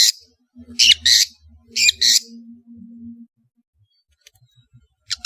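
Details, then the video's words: Long-tailed shrike giving harsh, squawking double notes in two bursts, over a faint low hum and quiet background ticks. "MASTERAN BURUNG CENDET GACOR"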